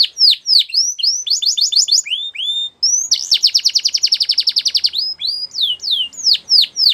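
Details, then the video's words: Singing male canary delivering loud downward-sweeping whistles, a short fast trill, then a long rapid rattling roll followed by more bright falling notes. "Canary Sounds Male | The Best Canary Singing"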